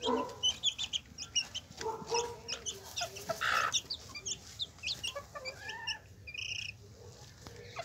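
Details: Hen with her chicks: low, soft clucks from the hen mixed with rapid high-pitched peeping from the chicks, over constant background noise.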